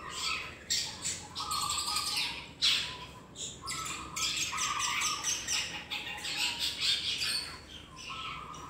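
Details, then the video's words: Juvenile long-tailed shrike practising its song, giving dense, rasping, high-pitched squawks almost without pause, broken by brief steady mid-pitched tones and sharper loud clicks. "cendet trotol belajar bunyi"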